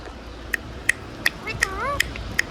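Indian ringneck parakeet giving six sharp, high chirps about every 0.4 seconds, with a brief warbling, speech-like phrase in the middle.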